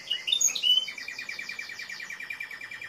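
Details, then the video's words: Timbrado canary singing: a few sharp high chirps open into a long, even rolling trill of rapid repeated notes at a steady mid pitch. "تسجيل طائر كناري تمبرادو#timbrado_canary_song"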